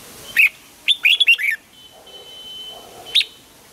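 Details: Morning song training of a red-whiskered bulbul for a double-note, old-forest style song: a lone bright chirp, then a quick run of four whistled, slurred notes, a faint thin steady tone in the pause, and a final sharp chirp.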